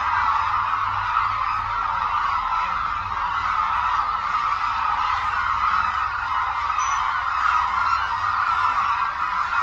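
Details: Flock of hooded cranes at Suncheon Bay Wetland, Korea, a renowned wintering habitat for the species; a continuous dense clamour of trumpeting, honking calls, individual notes lost in the mass of voices.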